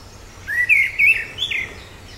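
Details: Orange-headed thrush (Zoothera citrina), the black-eared ground thrush, giving one fluty whistled phrase: a rising slur, then two looping notes and a higher closing whistle that falls away, over soft background hiss.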